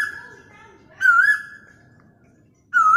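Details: Mobile-phone recording of an Asian koel: the tail of one whistled note, a softer lower warble, then two clear calls with a wavering start and a steady drawn-out tone. Low background noise throughout.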